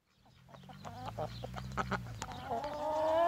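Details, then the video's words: Australorp rooster with a run of short, clipped clucks that builds into a loud, rising, drawn-out crow-like call toward the end, over a steady low mechanical hum. "Australorp Rooster Breed"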